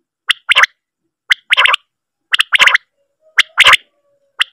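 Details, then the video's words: Common quail giving its sharp three-part 'whit, wi-wit' call, one short clipped note and then a quick buzzy pair, repeated about once a second against silence. "batair ke awaz. batair mix sound new. batair attached single. batair sound"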